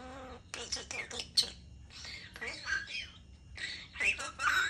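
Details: Talking European starling delivering rapid, raspy speech-like chatter in three bursts, with squeaky whistled notes mixed in.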